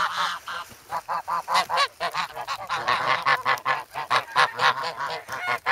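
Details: Young geese, recently grown from goslings, calling noisily while hungry and pecking for bread in the snow at Sloterpark, Amsterdam, on February 3, recorded on a Sanyo SH1; dense overlapping nasal honks from several birds, rapid and irregular, barely pausing throughout.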